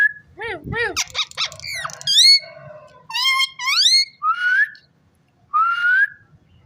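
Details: Rose-ringed parakeet talking: bursts of rich, harmonic, voice-like syllables that swoop up and down, then longer rising whistled notes with brief silences between phrases. The room is otherwise quiet, with faint low background hum.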